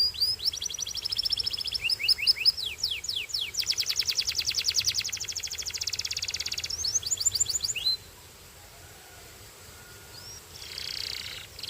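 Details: Belgian canary song with descending sweeps, a long rapid buzzing trill, further sweeps, then a pause followed by a single rising note and a short buzzy burst.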